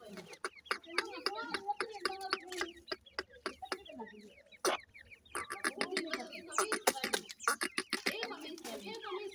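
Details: Francolin (teetar) chicks, described as Irani teetar, giving a dense chatter of short high peeps and chirps with sharp clicks and taps scattered through, a busy overlapping flock sound with no pauses.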